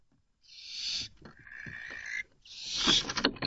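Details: Defensive barn owl chick, mother away hunting and a strange female intruding on the two chicks: a rasping hiss, then a thinner screech, then a louder noisy burst mixed with scuffling clicks.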